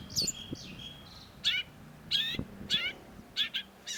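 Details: Long-tailed shrike singing varied phrases in a masteran tutor recording: a thin whistled opening, then separate buzzy, warbling high notes at irregular intervals over a quiet hiss.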